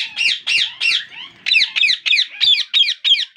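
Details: Parakeet chicks in captivity begging for food while their father feeds each one in turn: nine harsh, rasping, harmonic squawks in quick succession, with a brief pause after the third, loud and close.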